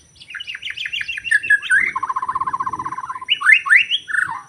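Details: Wild white-rumped shama singing in forest, recorded during bird trapping: varied whistled phrases sliding up and down, then a long rapid buzzy trill on one pitch, ending in bright rising and falling whistles.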